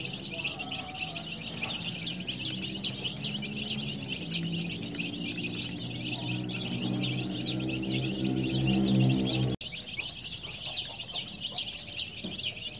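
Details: A flock of colored baby chicks peeps rapidly and continuously in high, sharp notes while soft sustained low music tones play underneath, briefly cutting out near the end.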